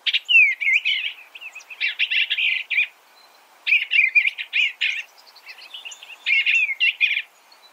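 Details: Eastern bluebird singing nearly continuous warbled, chattering phrases, each about a second long and following one another roughly every one to two seconds.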